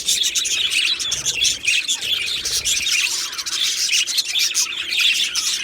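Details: Aviary flock of Australian budgerigars, 15 July 2025, filling the air with loud, continuous high-pitched twittering and rapid chirps, many birds calling over one another without pause.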